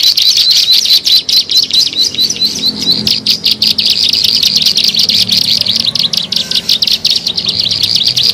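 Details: Ciblek sawah, or bar-winged prinia, heard in a bird-luring recording; shrill, fast, chattering notes pour out continuously, with short dips and sharper accents scattered through.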